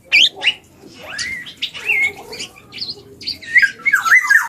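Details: Young black-and-yellow oriole learning to sing, mixing sharp squawks, soft rising and falling whistles and a few harsher buzzy notes in an uneven, halting sequence.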